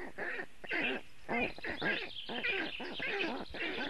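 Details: Black stork chicks on a Latvian nest, filmed by webcam on a very hot afternoon, 2 June 2018, calling for cooling; rhythmic, hoarse, harmonic calls nearly twice a second, swelling and fading in short clusters.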